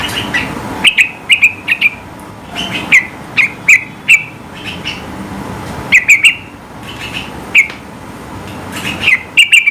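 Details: Sooty-headed bulbul singing vigorously with high-pitched notes meant to provoke rivals into singing; short bright chirps around the same pitch, often in quick pairs or triplets, separated by pauses of about a second, with faint echoes.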